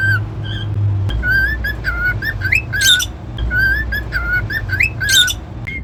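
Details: Pet cockatiel whistling: soft flat whistled notes lead into a repeated pattern of steady tones, rising swoops and harsh high chirps, with a low hum underneath.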